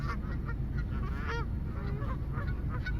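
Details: Overlapping goose honks come thick and fast, with one loud drawn-out honk standing out in the middle, over a strong continuous low-pitched rumble.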